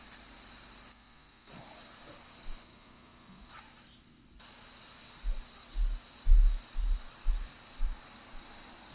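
A female Daurian redstart gives thin, high, short whistled notes about once a second over a steady insect-like hiss and low thumps of wind or handling.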